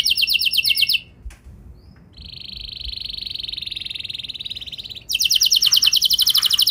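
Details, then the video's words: Canary song played to provoke other canaries to sing: a brief fast roll, a pause, a soft steady buzzing trill of about three seconds, then a loud rapid rolling trill. "Pancingan Kenari Biar Gacor Ngeroll Panjang!"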